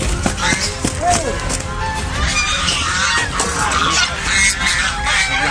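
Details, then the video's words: A noisy flock of geese in an uproar, honking over one another in harsh, overlapping bursts, a constant clamour with no pause. "nag kagulo ang mga gansa"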